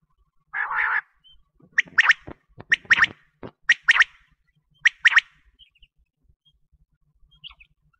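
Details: Common quail call used to lure quail for hunting: sharp, liquid notes in quick pairs, repeated about once a second after an opening burst, with short pauses between phrases.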